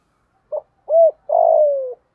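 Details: Spotted dove lure bird in full thúc gù phrase: a quick clipped note, a rounded rising-falling coo, then a long burry coo sinking steadily in pitch.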